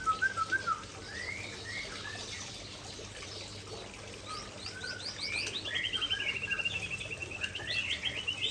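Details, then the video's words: Aceh white-rumped shama showing off its isian song: quiet looping whistles at first, then a fast run of sharp high notes building into a long, evenly pulsed rattling trill. "Murai Aceh Tumpahkan Isian Andalan"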